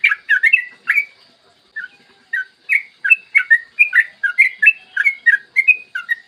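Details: Yellow-vented bulbul performing long-trill 'ropel' song in the morning, recorded to make other bulbuls sing and trill. An opening burst of notes, a short lull, then a fast, steady stream of bubbly, slurred whistles.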